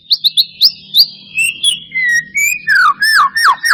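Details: White-rumped shama song as a lure to get a lazy bird singing, starting with short high chirps, then smooth whistles and descending slurred notes repeated quickly, over a faint low hum.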